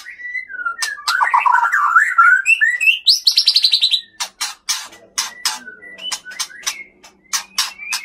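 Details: Male white-rumped shama from the Leuser mountains of Aceh, mimicking master birds as it sings more aggressively against an evenly matched rival: rich warbling, a fast buzzy trill, then loud dry clicks mixed with short whistles.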